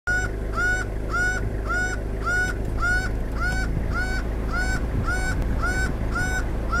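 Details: Laughing falcon (Herpetotheres cachinnans), known locally as guaco, calling from a tree in loud, nasal, honking notes, repeated steadily about twice a second, over a low rumbling background.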